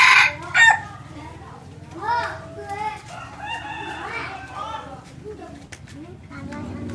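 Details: Red junglefowl decoy bird, hybrid line: two sharp, loud crow notes at the start, then softer clucking and calls from other fowl mixed with background murmur.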